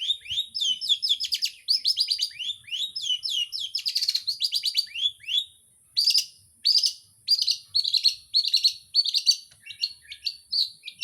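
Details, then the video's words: Long-tailed shrike song: a fast, varied run of high chirps, trills and sweeping whistled notes with mimicked phrases, dense at first, then broken into separate loud bursts repeated roughly every half second toward the end. "cendet dorong ekor"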